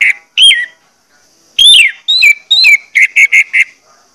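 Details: Orange-headed thrush lure song to stimulate singing; loud clear whistled phrases with rising then falling slurs, ending in four quick evenly spaced whistled notes.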